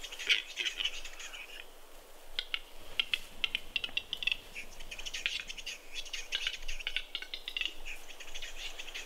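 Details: Capercaillies fighting at a lek in Kuusamo, Finland, spring 2021, in snow: dense run of hard clicks and harsh wheezy scraping notes repeated throughout, with brief flutter-like bursts.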